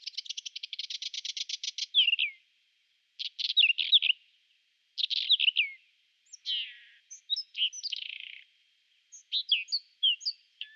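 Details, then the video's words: In April 2020 a Whinchat sings in spring. A rapid rattle of ticking notes opens the song, followed by a run of varied short scratchy phrases mixing chattering notes and slurred high whistles, separated by brief pauses. "Il canto degli uccelli del bosco: Stiaccino (Saxicola rubetra)"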